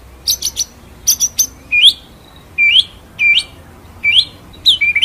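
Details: White-rumped shama (murai batu) masteran song, ngerol-nembak style: clusters of two or three very high clicks alternating with loud upswept whistled notes, each phrase roughly every second.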